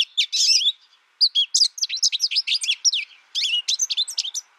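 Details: Bright, lively American Goldfinch song of rapid high twitters and chirped slurs in short bursts separated by brief gaps.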